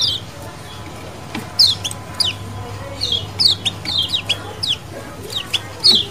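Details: Lemon-bellied white-eye colony calls, wild-style, meant to lure other birds: a quiet start, then a run of shrill falling chirps, some doubled, repeating irregularly over a low steady hum.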